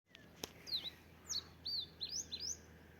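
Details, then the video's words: Bird song outdoors: a series of short high whistled notes, each sliding down then up, repeated about every half second after an opening click, over steady low background hum. "Cantó De Aves"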